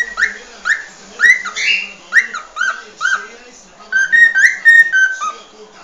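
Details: A cockatiel whistles its original species song: a series of short, harmonically rich upslurred notes spaced roughly half a second apart, ending in a quicker cluster of level whistles, over a faint background drone.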